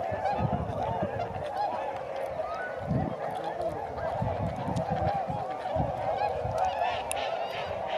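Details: Tundra swans (Cygnus columbianus) in flight at Sakata lagoon, Japan, 3 November 2018: a dense chorus of overlapping nasal, honking flight calls over low wind rumble.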